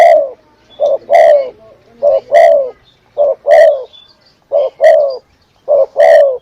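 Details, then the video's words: Spotted dove lure call used to attract birds: each phrase is a short coo followed by a longer, fuller, slightly falling coo. About five phrases repeat at steady intervals of roughly one second. "Suara Pikat Burung Derkuku / Tekukur paling renyahhhh"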